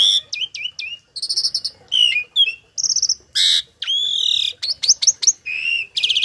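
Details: Starling kept tame and filled with imitated phrases, sung as a model for other birds: loud clear whistles, buzzy rattles, swooping slurs and rapid chip notes tumble out in an unbroken, energetic sequence.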